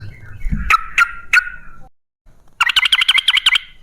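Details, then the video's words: Sooty-headed bulbul (trucukan) in rapid, vigorous 'gacor ropel' style, for luring other bulbuls into singing: three bright liquid notes, a short pause, then a fast run of about nine chirping notes. "Suara trucukan gacor ropel ngalas"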